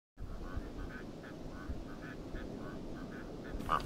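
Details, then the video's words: Rüppell's korhaan giving a rapid run of harsh, croaking notes, several per second, over a steady low rumble of background noise, with a brief sharper note at the very end. "Vögel und ihre Stimmen - Rüppelltrappe"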